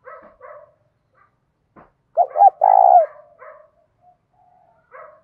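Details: Morning call of a spotted dove used to lure wild doves, 'thổ' voice mixed with 'thúc gù'. One loud phrase of two short hoots and a long vibrating coo sits among quieter murmuring notes.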